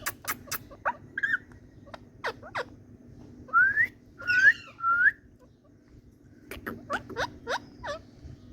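An Indian parrot gives short, rising whistles and sharp clicky chatter in irregular bursts, over a low steady hum.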